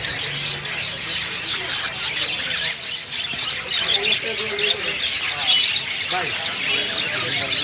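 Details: Budgies keep up a continuous high twittering and chirping for several seconds, with short warbled notes breaking through the dense chatter.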